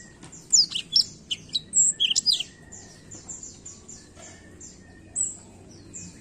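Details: Black-throat singing: a lively cluster of high chirps and whistled slurs in the first two seconds, then softer, fainter high twitters trailing off. A low background hum is present.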